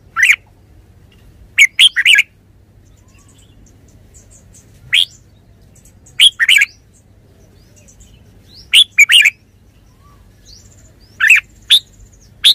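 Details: Red-whiskered bulbul repeating brisk, chirpy warbled phrases roughly every two to three seconds, each a tight cluster of sharp whistled notes, against a quiet background with a faint low hum.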